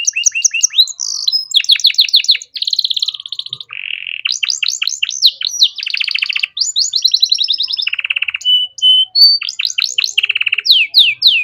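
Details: Canary tutor song for teaching young songbirds: continuous varied phrases of quick downward whistled sweeps, dense buzzing trills and brief steady whistles, rich and loud, changing pattern every second or two.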